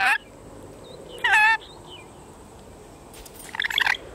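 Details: Pet ten-month-old male red-collared rainbow lorikeet talking: a brief raspy burst at the start, a louder wavering nasal phrase after a pause, then a scratchy chattering burst near the end, with faint soft chirps in between.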